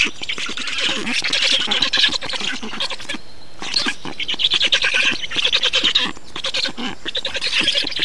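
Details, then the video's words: Black storks in Estonia during feeding, 2 June 2019: dense runs of harsh, buzzy, rapidly pulsed calls that pause briefly near the middle and then resume just as loudly. "Estonian Black Storks - Feeding"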